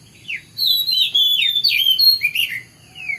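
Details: Oriental magpie-robin singing in the morning, a fast, continuous stream of bright whistled notes sweeping up and down, ending in a softer descending whistle.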